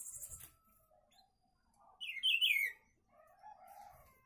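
A single quick, bright warbled phrase that dips and rises, lasting under a second, with faint high chirps and soft background sounds around it.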